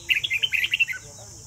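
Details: Red-whiskered bulbul from Vietnam in a singing contest delivering one rapid phrase of about eight quick, bubbling whistled notes that ends with a short falling note, over steady hiss.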